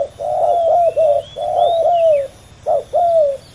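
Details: Male spotted doves in a fierce two-bird face-off during ground decoy luring, one calling: paired coo phrases, a short clipped note then a longer wavering crooo, low and mellow, repeating about once a second, steady faint hiss behind.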